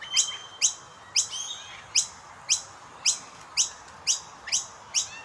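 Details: Common myna chicks chirping while their parents feed them: a steady run of short, high, thin notes that sweep downward, about two each second, over a faint low hiss.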